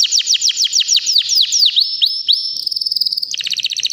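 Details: Three-year-old white canary in breeding condition sings nonstop: a run of loud descending whistled sweeps, then a long steady note breaking into a fast, buzzy rattling trill near the end.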